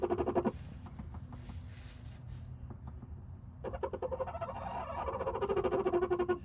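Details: A rooster in a nestbox with a hen, possibly making a nest (owner suspects), gives low, throaty, rhythmic clucks and purring notes, first briefly then in a longer run, with background music.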